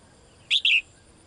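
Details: Caged female bird calling to the male: one bright two-note chirp, a short high note then a longer downslurred note, over quiet background.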